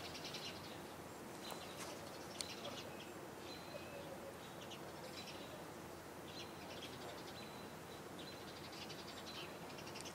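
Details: Several house sparrows on the Cornell University campus, Ithaca, New York, on 26 June 2018 chirp faintly and repeatedly, short bright cheeps in loose bursts, over steady background hiss.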